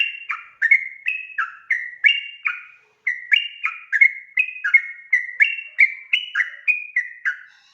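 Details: Sooty-headed bulbul giving ropel song used to provoke answers from other bulbuls. Lively bursts of sliding whistled notes run for about three seconds, pause briefly, then resume at the same quick pace.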